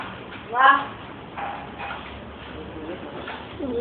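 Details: A pet talking mynah mimics human speech in a short, voice-like phrase, then softer murmured syllables; its repertoire includes "good morning", "hello" and "happy birthday". Faint background music and a person's voice are also heard.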